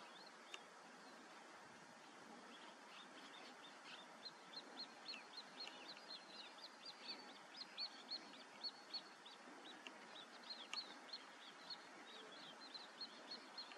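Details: Common snipe: long run of brief, sharp high notes repeated in quick, somewhat uneven succession, growing more frequent midway, with a couple of louder clicks and steady outdoor background hiss.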